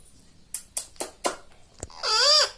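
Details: Talking pet parrot, said to say "mummy": a few sharp clicks, then a loud, harmonic, bending call near the end.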